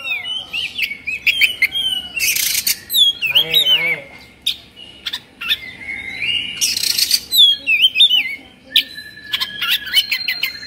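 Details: Excited Oriental magpie-robin (kacer), fluffed with its tail spread, delivering rapid varied phrases: warbling whistles, abrupt harsh rasps and clipped chips. A lower buzzy harmonic sound is heard once mid-way.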